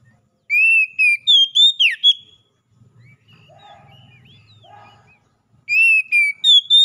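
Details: Oriental magpie-robin song used as therapy to get captive birds singing: a burst of loud, clear whistled notes near a steady pitch, then a swooping downslur, a quiet gap with soft low warbling, and the whistled phrase returning.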